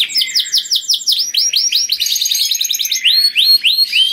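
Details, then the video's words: Canary giving loud, melodious song to draw other canaries, made of repeated swooping whistled notes in quick succession, a short dense buzzy trill in the middle, then more rising slurred whistles. "Burung Kenari Bunyi Gacor Merdu dan Keras Cocok Sekali Untuk Pancing Kenari Lain || Voice of Canary"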